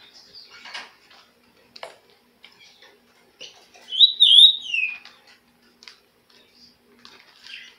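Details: Amid faint tapping and clicking sounds, a green-winged saltator (trinca-ferro) gives a single short phrase of loud, slurred, falling whistles.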